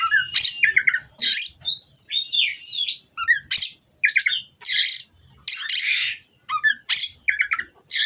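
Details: Captive Oriental magpie-robin from a Cirebon-line breeder singing loud, rapid phrases of harsh buzzy notes interleaved with crisp whistled slurs and chirps, separated by short silences.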